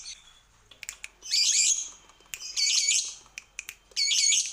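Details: Lovebird on a lure recording to make birds sing: harsh buzzy squawked bursts about once a second, mixed with short sharp clicks and chirps.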